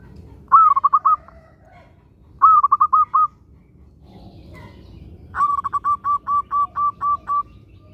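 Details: Local zebra dove song used as a prompt for other zebra doves: two short bursts of rapid rolling coos, a pause, then a longer run of about nine evenly spaced notes.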